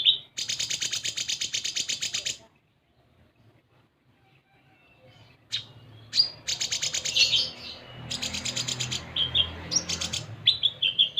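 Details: Sunbird song used as a lure to prompt other birds to sing: fast buzzy high-pitched rattling trills, a two-second pause, then bursts of chattering trills mixed with thin whistled chirps, with a faint low hum beneath.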